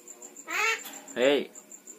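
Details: Talking Javan myna copying spoken words such as bapak and mamak: two drawn-out, babbling, voice-like syllables about half a second apart, against a faint, regular high ticking.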